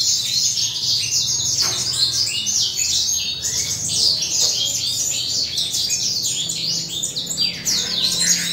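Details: Adult male Western Citrils sunbathing and singing in the morning with breeding season close. Rapid, bright, overlapping twitters and trills continue without a break, over a quiet low hum.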